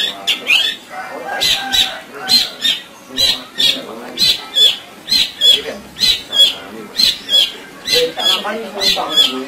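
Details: Long-tailed shrike song made as a master recording to stir lazy birds into singing: rhythmic harsh, buzzy bursts repeated about once every half second, with mid-pitched mimicked notes scattered between them.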